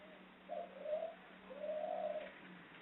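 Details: Female ringneck dove (puter pelung) from an Indonesian breeder in Central Java, giving a long ngelik ngluguk call: a short bright note, then two drawn-out mid-pitched coos, the last sustained about a second, over a faint steady low hum.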